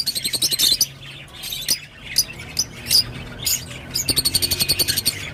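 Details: Rosy-faced lovebird song of short, shrill chirp bursts and scattered squeaky notes, ending in a quick run of evenly spaced high twitters over a low background hum.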